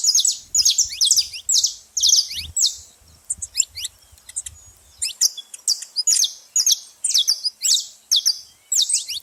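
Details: Noisy saffron finch at a feeder: a long run of sharp, high chirps in tight clusters, roughly two every second, with faint low rumbling in the background during the first half.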